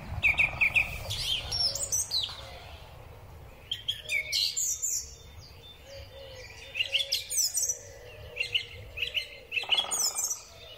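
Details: Song thrush singing in spring, recorded on a Huawei P30 Pro phone: loud phrases of sharp, repeated notes and whistled motifs between pauses, with other birds chirping and a low steady hum beneath.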